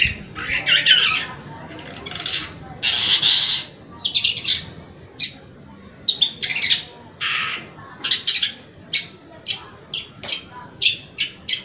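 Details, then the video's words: Long-tailed shrike singing continuously, used as a lure to encourage young, stressed or silent caged birds to sing. Grating squawks and raspy phrases give way to a series of short, sharp, clipped notes repeated at uneven intervals. "Suara Cendet Gacor"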